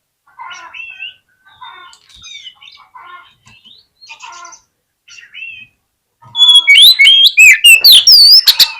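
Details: Oriental magpie-robin song meant to provoke fighting: soft, scattered whistled and chattering notes at first, then a loud rush of rapid, sweeping high whistles and chips in the final seconds.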